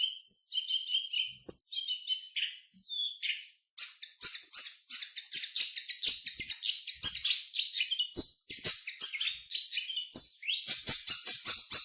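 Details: Long-tailed shrike, a much-sought songbird, sings a dense, fast medley: whistled twitters at first, then a long stream of rapid dry ticks and scratchy chatter.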